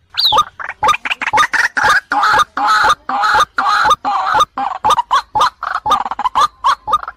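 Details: Female white-breasted waterhen calling the male, played as a lure to provoke anger. Dense harsh, clucking notes tumble rapidly in an irregular stream, with a single high squeak at the start.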